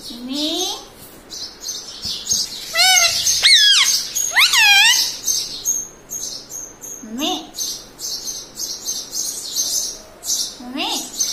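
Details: Pet parrot taught to say words such as mummy, papa and radhe radhe, giving rising harmonic squawks and warbled speech-like calls, some in quick stacked sweeps, over a steady chatter of high chirps from other birds in the background.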